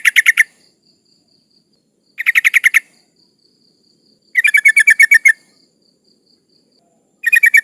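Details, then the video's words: Sooty-headed bulbul female in breeding condition calling males, used to draw rivals: four bursts of fast, buzzy chattering notes about two to three seconds apart, the third burst longest, with a faint high tone between them. "Suara burung trucuk gacor Memanggil lawan lawan"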